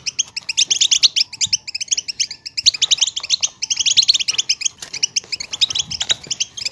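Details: Chattering goldfinch in batbata style, aimed at getting silent goldfinches to sing: busy, ringing twitter phrases that repeat in waves, with short pauses near the middle and end.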